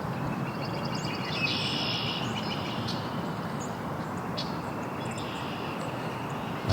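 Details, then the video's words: In Angrignon Park on April 18, near an area popular with joggers, the year's first female red-winged blackbird gives a fast, high chatter of dry, scratchy notes for about two seconds, over a steady rumble of traffic. "That is the first female redwing blackbird I heard this year."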